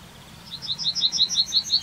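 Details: Yellowhammer in the town of Wittlich, Germany, recorded in 2019: a brisk, evenly paced series of high, slightly buzzy repeated chirps building in loudness, against faint low background hum.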